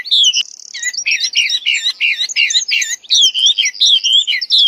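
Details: Wild wambi in full song, a dense, continuous high warble of slurred, chattering notes with a brief buzzy trill near the start, the phrases tumbling over each other almost without pause.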